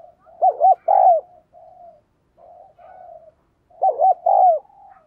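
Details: Spotted dove decoy calling to stimulate males. A loud gurgling phrase of two quick coos and a longer drawn note, then soft low coos, then the loud phrase again near the end.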